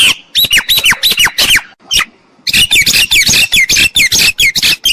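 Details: Myna calls used as a lure for bird trapping: harsh squawks and bright descending whistled notes in quick bursts, a short pause near two seconds, then a dense run of rasping, buzzy calls.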